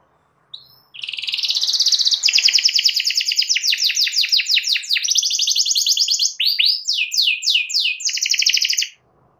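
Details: Canary song used to provoke a rival into singing back: after a short opening note, a long unbroken stream of fast high trills, alternating buzzy rolls with rapid sweeping notes, stopping abruptly near the end.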